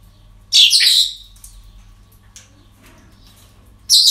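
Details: Parrots at a breeding centre on an ordinary day, giving two loud, harsh, broadband squawks separated by quiet, with faint softer calls in between.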